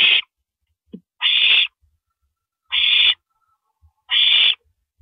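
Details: Owl on a live nest camera at 1:27 AM on April 9, 2012, while one owl swallows a rabbit; harsh, hissing screeches of about half a second, repeated roughly every one and a half seconds, with faint low thumps between them.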